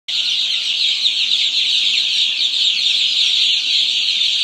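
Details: Heritage chicks exploring a new brooder barn, a dense flock chorus of high, thin peeps merging into one continuous shrill wash with no pauses.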